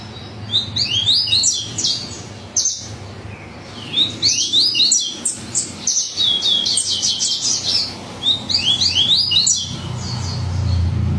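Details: Bahian yellow-bellied seedeater (coleiro baiano) in frenzied song: repeated phrases of rapid, high, slurred chirps and buzzy trills, broken by short pauses, over a faint low rumble that grows near the end.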